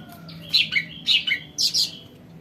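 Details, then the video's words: Sumatran cucak ranting singing, used as a lure for newly caught birds: three quick bursts of bright, high chirping notes with short downward slurs, separated by brief pauses, over a faint low hum. "CUCAK RANTING SUMATRA COCOK BUAT PANCINGAN BURUNG BAHAN"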